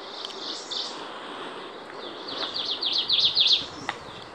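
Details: Ijima's leaf warbler (Phylloscopus ijimae) singing loudly on Miyake Island, 23 May 2019: a quick run of about eight high, zigzagging notes in just over a second, over a steady hiss of background noise.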